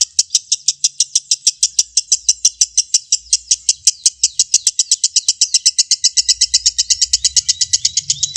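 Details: Lovebird singing 'ngekek', used to make rival lovebirds emotional and burst into song: a fast, unbroken stream of piercing chirps, slightly quickening toward the end, with soft low background noise in places.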